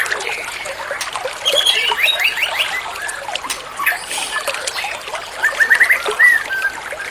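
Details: White-rumped shama singing in reply to a lure recording: two bursts of rapid, stuttering whistled notes, the second ending in an upward-swept whistle, over loud trickling, splashing water.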